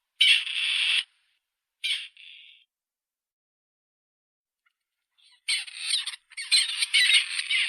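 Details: Grey Partridge giving harsh, grating, rasping calls: a long scratchy note, a short clipped one after a pause, then silence before a burst of several rough, creaking notes run close together.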